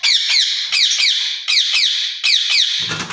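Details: Two ringneck parrots in a cage trade shrill, rasping screeches in tight clusters of two or three, repeated about every three quarters of a second, ending with a low rustle.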